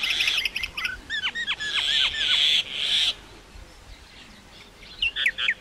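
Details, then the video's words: Common myna delivering a series of downward-swooping whistled notes that run into a long grating rasp, then a short silence before more quick chirps. "Common myna bird song /Indian maina sound /mynah singing"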